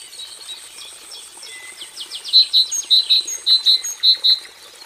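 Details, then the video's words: Cinereous tit (gelatik batu kelabu) singing one of its song variations: rapid buzzy rasping notes, then a clear run of about eight ringing two-note whistles, evenly spaced, over a steady high background hiss. "Gelatik Batu Kelabu,, 3 Variasi Kicau"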